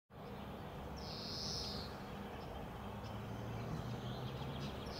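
A European greenfinch gives a single drawn-out, nasal wheeze lasting under a second, with a few faint high notes after it, over steady low rumbling background noise.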